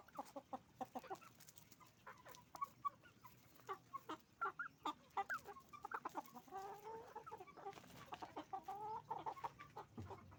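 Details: Roosters and hens on a chicken farm: rapid clucking and squawking, many birds calling at once, with drawn-out cackles midway and a low background hum.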